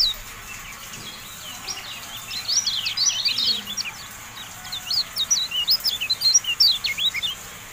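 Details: Masteran of the Javan white-eye: high, tumbling twitters come in two animated phrases separated by a brief lull, full of rapid up-and-down slurs, over light background hiss.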